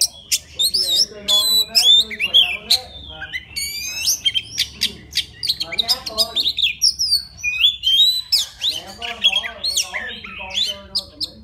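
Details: Wild white-rumped shama in song, calling for a mate: a loud, fast, unbroken stream of sharp chirps, whistles and slurred notes with a few harsher, buzzier phrases mixed in.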